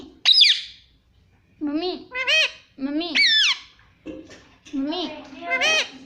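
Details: Indian ringneck parrot speaking 'mommy' in a small room: five bursts of nasal, two-part, rising-then-falling voiced syllables, the first sharp and high, with short silences between.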